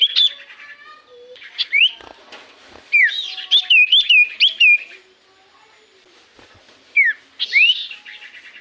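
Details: Common iora in full song, used as a lure so other birds sing back; sharp whistled notes, then a run of wavering, looping whistles around the middle, a pause, and a final burst of slurred phrases.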